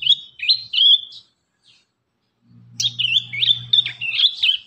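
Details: Young prinia singing bright, sharp chirps and warbled notes around a high pitch, in two bursts separated by a brief pause, over a faint low hum.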